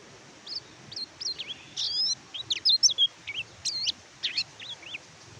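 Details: Song of an Oriental white-eye, played to coax birds that have stopped singing: sharp, high twittering whistles with rising and falling slurs, delivered in a lively, uneven series over a faint background hiss.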